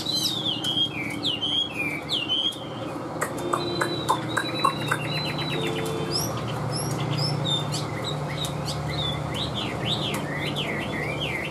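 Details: Tame Chinese hwamei in a cage delivering a varied song: sharp zigzag whistles, then a long level whistle with rapid ticking notes, ending in fast rising-falling slurs, over a low steady hum.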